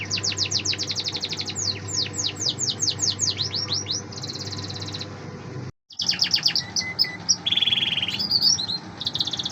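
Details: Canary singing a varied phrase, with fast high chirp rolls slowing into swept whistles, a buzzy trill, a brief silence, then renewed chirps, trills and a short buzzy burst.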